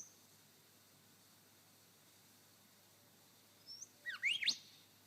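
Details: A male superb lyrebird on his dancing mound in Sherbrooke Forest Park, Victoria, imitates a golden whistler: after a quiet start, a brief high whistle, then a quick run of loud sweeping whistles ending in a sharp crack.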